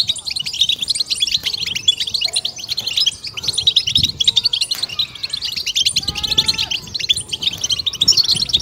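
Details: European goldfinch singing a batbata stimulation song: busy high twitters and sharp chirps pour out nonstop, interrupted briefly by a few clear descending whistled notes midway, with faint low bumps in the background.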